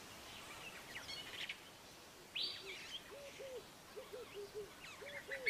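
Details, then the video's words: A crowned hornbill (Lophoceros alboterminatus) gives a run of short, arched, mid-pitched whistles, roughly two a second, while smaller birds chirp and twitter higher up. "Crowned Hornbill"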